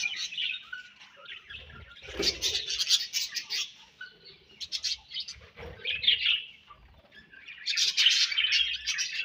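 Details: Budgerigars chirping in bursts of fast, scratchy high chatter and twitters separated by quieter gaps, with a few soft low thumps.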